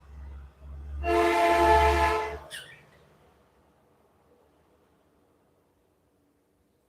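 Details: A loud, steady horn-like blast rich in harmonics lasts about a second and a half, followed by a short rasp and a fading, quiet rumble.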